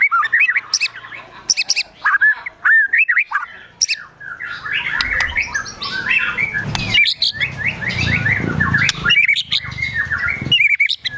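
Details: White-rumped shama singing in gacor emosi style, with mimicked besetan, tembakan, sogon and kunti phrases. It delivers sharp ticks and fast, high, scratchy twittering phrases over eleven seconds, against low rumbling background noise midway.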